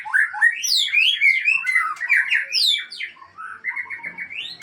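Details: White-rumped shama, Aceh type, showing off its learned song. Fast, bright, tumbling whistles and high upswept notes run into a series of repeated short rising phrases.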